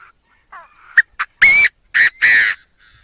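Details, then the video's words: Chinese francolin giving its crowing call, a clean recording meant for a trapping speaker: faint short notes and two sharp clicks, then three loud, harsh, ringing notes, the final one longest, with a thin whistle between them. "Tiếng chim đa đa gáy"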